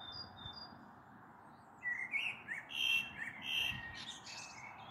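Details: Evening song of a common blackbird on 21 April 2022 with a storm possibly brewing, taped from a balcony: after a faint high note, a rich fluting phrase swells up and closes with scratchy high twittering.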